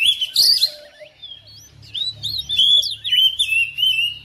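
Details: Oriental magpie-robin in a home, answering another bird with energetic continuous song; clear whistled phrases, wavering slurs and sharp rising notes, with a faint low hum in the background.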